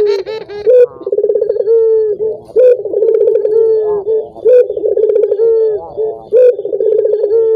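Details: Collared dove repeating its coo to stir other doves into song: each phrase opens with a rising note, runs into a fast pulsing roll and ends in a long level-then-falling hoot, steady rhythm throughout.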